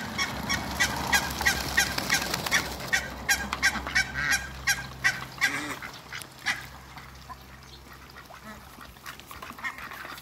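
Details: Pair of Muscovy ducks playing with water in a backyard; short rough calls repeated at an irregular pace, with splashing and a steady low hum underneath.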